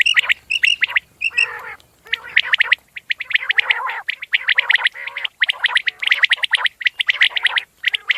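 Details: Common quail (batair) calling: short, sharp, ringing notes repeated in quick pairs at the start, then dense rapid bursts of harsh, gargling, overlapping calls that suggest several birds, with brief silent gaps.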